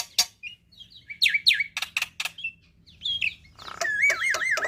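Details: Black-winged myna tutor song for juveniles to learn: scattered sharp clicks and short whistles, then a harsh buzz leading into a repeated series of rolling, wavering whistled notes.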